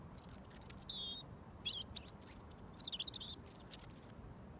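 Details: Wild robin, fed every day for over a year, sings a foot away until mealworms arrive: very high, thin warbled phrases broken by short pauses, with trilled and slurred notes.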